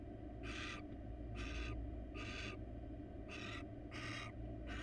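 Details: Wild barn owl pair at a nest box, with the male keeping a caught rat from the female; five loud, rough, screechy hisses of similar length repeat about once a second against a low steady hum.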